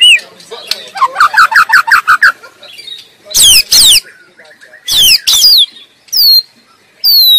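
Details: White-rumped shama singing in the wild: a rapid run of short repeated notes, then loud harsh rasping bursts alternating with high downslurred whistles.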